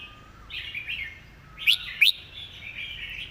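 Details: Red-whiskered bulbul singing its master song with good phrasing and clearly enunciated notes: short warbled phrases, with two sharp, loud rising notes in quick succession midway and a faint steady tone underneath.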